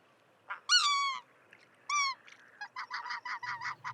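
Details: A greater white-fronted (specklebelly) goose gives two high squealing calls that trail off at the end, followed by a quick run of shorter, clipped yelping notes.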